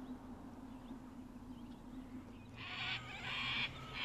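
A low hum gives way to three harsh, raspy screeches from a sulphur-crested cockatoo, each under half a second, coming in quick succession.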